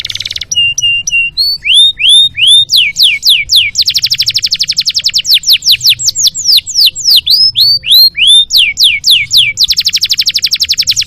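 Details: Canary song kept as a masteran recording for training other canaries, in the full 'isian' style: rapid buzzy trills, steady whistled notes and sweeping downslurred whistles repeated in quick runs, with a faint low hum underneath.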